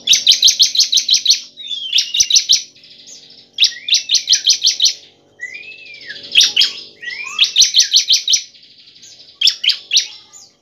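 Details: Bar-winged prinia song used as a lure to stimulate other prinias to sing: bursts of rapid, high chirping notes about a second long, separated by brief whistled slurs and pauses.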